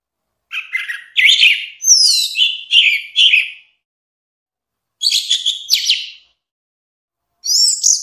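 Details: Orange-headed thrush singing: rich, varied bursts of whistled and warbled phrases with slurred, rising and falling notes, delivered in quick runs separated by short pauses.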